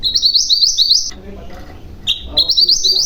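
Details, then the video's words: Mantenan gunung, or common iora, giving a fast rolling trill of rising high notes. A short gap follows, then a sharp piercing whistle (tembakan) and another rapid rolling run. "Burung Mantenan Gunung Gacor , Ngeroll Panjang , Tembakan Tajam"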